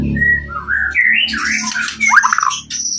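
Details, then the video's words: White-rumped shama singing to bait other shamas into responding: a clear whistle, then looping slurred phrases and a quick downward trill, over a steady low background hum. "pancingan murai lain bakalan nyautt"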